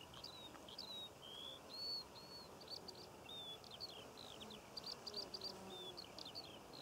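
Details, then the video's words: Eurasian skylark in continuous song over Cornwall poppy fields, filmed in June; varied high whistles, slurred chirps and short trills pour out unbroken, with faint buzzing and low background noise. "Skylark Bird Song and Nature Sounds - Birds Singing Over The Poppy Fields of Cornwall"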